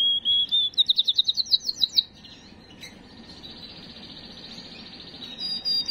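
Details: Canary singing to excite females: a whistled note, then a burst of quick rising chirps, a pause of faint trilling, and a thin high whistle at the end.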